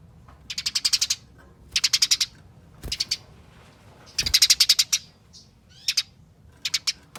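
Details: Eurasian tree sparrow giving fighting chatter, used to make other sparrows sing: repeated fast bursts of scratchy chips, several in a row of varying length, with a couple of low knocks between.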